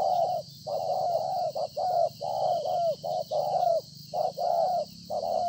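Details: Spotted dove, a wild-caught decoy bird that coos well, recorded 26 September 2020 at Konlong: rapid low hollow coos in short bursts, about a dozen notes in five seconds, over a faint steady hiss.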